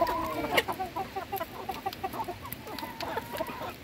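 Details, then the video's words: Domestic hens clucking while being fed, a flock of short, rapid mid-pitched clucks overlapping one another, with a brief louder squawk near the start and soft scuffling underneath. "alimentando mis gallinas"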